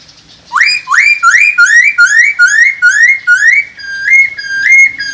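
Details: Masked laughingthrush calling to stimulate breeding: about a dozen clear, upward-sweeping whistles in quick succession, each rising sharply then holding steady, slowing into flatter notes at the end.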